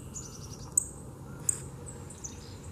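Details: A Northern cardinal gives a few sharp, high, metallic chip calls about a second apart, with faint thin twitters, over a steady low rumble of background noise.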